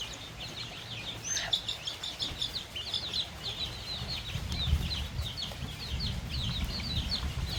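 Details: Baby chicks and young chickens on a countryside farm, pecking at a fresh meal of termites; many overlapping high, thin peeping chirps in a dense, continuous chatter, over a low rumbling background with soft scratchy pecking noises.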